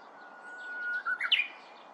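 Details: Korean bush warbler moving about in bamboo: a long, steady whistled note held for about a second, then a quick rising and twisting flourish of brighter notes at the end.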